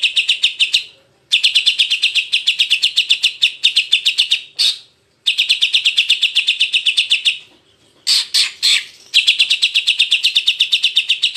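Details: Greater green leafbird tutor recording for training the jantrok style: long runs of rapid, buzzy, evenly repeated high notes, about four per second, broken by brief silences and a few sharper squeaky notes.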